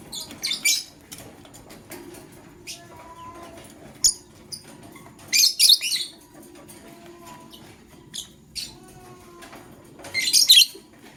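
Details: Male lovebird choosing a partner: short, shrill, harsh chirp bursts at irregular intervals, with quiet gaps and faint tonal squeaks between them.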